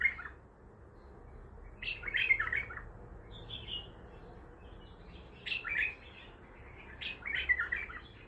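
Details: Three bursts of chattering, fluty phrases from an untrained bulbul in the Baghdadi style, each phrase under a second long, with quiet gaps and a faint low hum between them.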